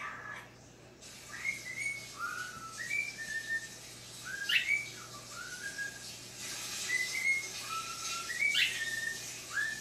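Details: Male talking cockatiel kept indoors as a pet, reacting to seeing himself on screen: a whistled tune of short clear notes stepping up and down, repeated phrases with a few sharp squeaks, over steady room hiss.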